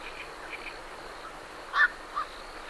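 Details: A night heron leaving its roost gives one short, harsh, croaking call, followed by a softer clipped note, against a low steady background where great reed warblers are said to sing.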